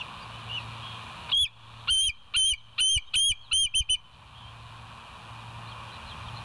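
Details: West End bald eagle on a nature live cam, 25 September 2023, 7:00. After a quiet start, a run of about eight high, thin, whistled chirps comes in a fairly quick, uneven series, then quiet hum returns.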